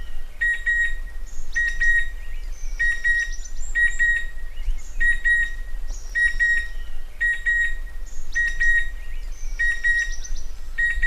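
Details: Repeated doubled whistles of a Chestnut-winged cuckoo, sharp and metallic, about one pair every second for the whole stretch, with a thin continuous tone and low rumble behind.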